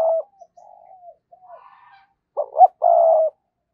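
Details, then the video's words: Spotted dove used as a decoy, cooing to lure: a few soft, low, drawn-out coos, then a loud burst of two short rising notes ending in a sustained steady coo. "tiếng cu gáy - Chim Cu Mồi Thúc Và Gáy Gọi"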